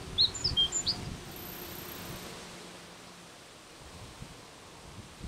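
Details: Japanese reed bunting singing at Ukishima, Ibaraki Prefecture, Japan. A single brief phrase of about six high, quick chirped notes opens the recording, followed by steady outdoor background noise.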